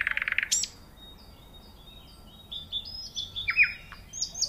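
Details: Nightingale singing: a loud buzzy rattling burst opens, then a pause, followed by a scatter of thin high whistled notes and short descending slurs, mostly quiet, in an otherwise calm outdoor setting.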